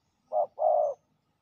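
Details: Territorial male spotted dove, a fierce territory holder, at a ground decoy trapping site, giving one low cooing phrase: a short coo, a brief gap, then a longer, steady, hollow coo.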